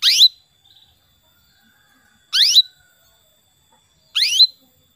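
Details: Female canary calling to a male, used to coax male canaries into lively song: three clean, loud, upward-sweeping high calls, roughly two seconds apart. Near silence surrounds each call.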